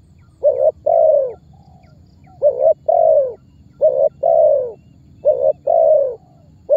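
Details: Spotted dove giving its calling-type lure sound to make other birds call; rapid series of phrases, each a short note then a long mellow coo, repeated about every one and a half seconds.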